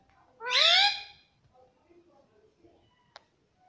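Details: Pet parrot saying "mummy": a single drawn-out, rising-then-falling voice-like word, then near quiet with a sharp click.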